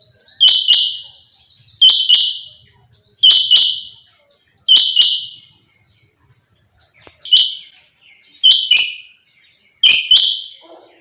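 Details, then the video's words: A female quail (chinga batair) gives harsh, buzzy calls, each starting with a sharp click, repeating about every one and a half seconds against a quiet background. "female quail sounds chinga batair"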